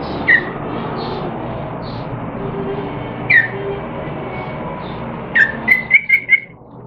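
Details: A captive yellow-vented bulbul, recorded 14 September 2021 while learning different songs, gives short, bright whistled notes, then a quick run of four or five chirpy phrases near the end, over a steady low hum.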